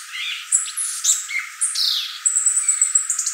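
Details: Violaceous euphonia, known locally as gaturamo verdadeiro or guriatã, singing a busy medley of high whistles, buzzy slurs and a long sustained trill near the top of its range, with rapid notes tumbling one after another.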